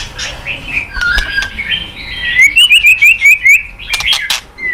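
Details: White-rumped shama song starting softly, then a string of about seven crisp repeated upslurred whistles at a steady pace, followed by scattered chirps.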